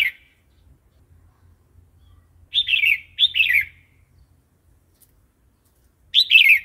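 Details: Red-whiskered bulbul singing a wild-style song (เพลงป่า), played to train new, wild-caught and young birds: three short, bright warbled phrases, two close together near the middle and one near the end, over a faint low hum.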